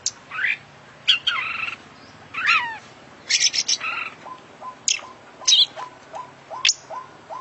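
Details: Oriental magpie-robin, a prize-winning international champion bird singing a full isian song loaded with mimicked phrases: sharp high whistles, buzzy rattles and swooping notes in bursts, over a steady series of short low notes repeated about twice a second.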